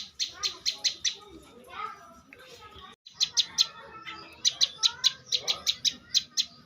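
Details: Bar-winged prinia, described as a champion competition bird: bursts of sharp, high, clicking notes repeated in quick runs of five or six, separated by pauses, with softer chatter and low background noise.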